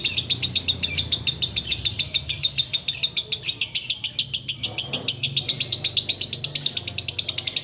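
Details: Sooty-headed bulbul singing in the ngekek style while waiting to break the fast: a fast, steady chatter of sharp, harsh high notes, about three to four per second, running without pause, with a soft low hum behind.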